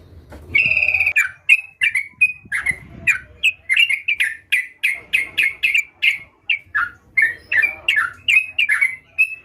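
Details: Sooty-headed bulbul singing energetically (gacor): clear, evenly spaced short notes, each a quick downward-sliding chirp, repeated about three times per second after a brief buzzy opening phrase.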